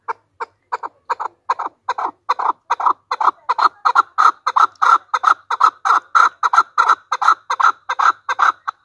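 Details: Hunter chukar (Alectoris chukar), the chakor: a loud, rapid run of harsh clucking chuck notes, steadily repeated about two or three per second for nearly nine seconds, the notes lengthening and running together as the series goes on.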